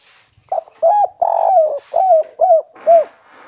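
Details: Spotted dove with a natural local voice giving a kuk 3 song: short coo, a rising hooted note, a long rough coo, then three evenly spaced rounded coos, over faint background hiss.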